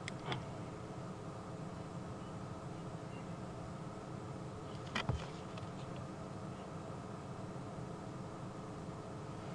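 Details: Steady low engine drone with a single sharp click midway; no clear animal calls.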